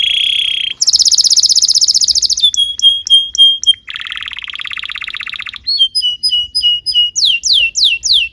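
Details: Canary song used as a master recording for training young canaries: a varied sequence of tours, a dense buzzy trill, steady whistled notes, a lower rattling roll, then fast repeated downslurred whistles.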